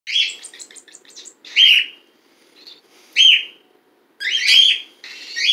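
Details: Pet bird kept indoors in a household with cats, from a pair whose chick hatched on December 12th 2018; a fast run of short chirps, then loud harsh rasping calls repeated about every one and a half seconds.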